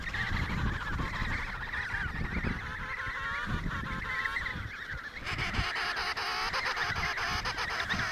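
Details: Many emperor penguins in the Riiser Larsen breeding colony, Antarctica, November 2010, 72°06 S, 15°06 W: overlapping warbled trumpeting calls throughout, with rapid clicking or rustling joining after about five seconds and low wind rumble.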